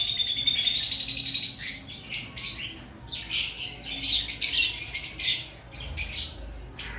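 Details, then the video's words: Lovebirds in an aviary prior to breeding season, high squeaky chatter rising and falling in bursts, with a louder dense stretch of screechy calls in the middle and quieter gaps between. "Before breeding season Check your love Bird activity"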